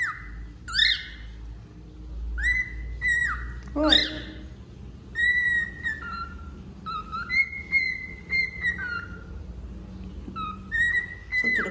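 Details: Singing male wild-type cockatiel, going through a moult, gives a string of clear whistles, mostly flat or gently falling with quick upward slurs, about every second or two, with faint room hum beneath.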